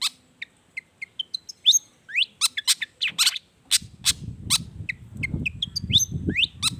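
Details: Long-tailed shrike in full song stuffed with wild-bird mimicry, meant to provoke quiet shrikes into singing; scattered high whistles and chirps build into quick rising notes and harsh calls, with low rumbling noise in the second half.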